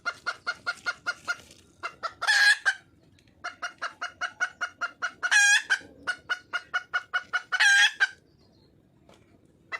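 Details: Wild red junglefowl hen calling for a male: rapid series of clucking notes repeated about five per second, broken by loud harsh drawn-out squawks near 2.5, 5.5 and 8 seconds.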